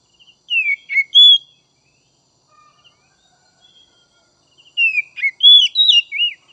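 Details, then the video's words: Kacer, the White-rumped shama, singing to stimulate other shamas: two separated phrases of clear whistles, falling slurs and short sharp chirps, with a quiet gap between them. "Merangsang Kacer Bahan dan Trotol!!"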